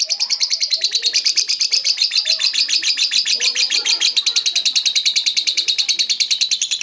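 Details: Ngokop-style lovebird song, a steady, rapid chatter of high, buzzy notes repeated about three times a second without a break. Faint lower background noise sits beneath.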